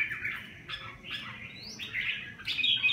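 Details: Red-whiskered bulbul of the Bạch hồng cước kind giving rapid chattering, warbled notes with sharp rising slurs, somewhat rough and strung closely together against a murmuring low background.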